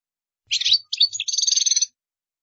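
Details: Brief European goldfinch song for other birds to imitate: a quick jangling twitter, then a rapid, even, slightly buzzy trill of repeated notes lasting under a second.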